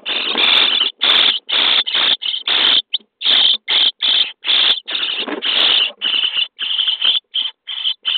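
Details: Starling nestlings in their nest box on day 23, fed by adults. Loud grating begging rasps crowd together in long and short bursts, nearly continuous, with rustling inside the box.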